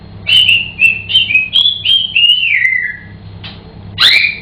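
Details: Captive African grey parrot singing at home: a run of six or seven clear whistled notes, the last drawn out and falling, then a loud harsh squawk, with a low hum underneath.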